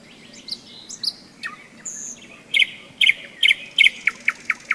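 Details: Nightingale in May along the Seversky Donets, thunderstorm season: scattered whistles give way to a loud series of sharp repeated notes, roughly two or three per second, while frogs keep a soft low croak underneath.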